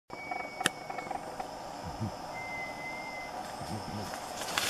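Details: A Great Jacamar in tropical rainforest at San Lorenzo, Datem del Marañón, Loreto, gives two thin, steady, melancholy high whistles, each about a second long, the second rising slightly, over low rumble and faint voices.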